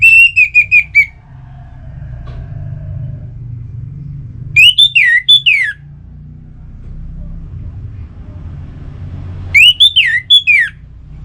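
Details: Orange-headed thrush singing, as played to stimulate kept birds: loud phrases of rapid whistled notes, each repeated several times, sounding in three bursts about every four to five seconds, separated by quiet low rumble.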